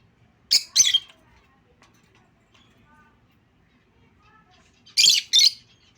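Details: Lutino lovebird giving two pairs of shrill, harsh screeches about four seconds apart, with faint high chirps in the quiet between.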